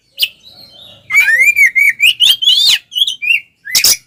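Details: Oriental magpie-robin singing a fighting song used to provoke other males: a long rising, wavering whistled phrase with rapid harmonic trills, ending in sharp chirps and a harsh burst.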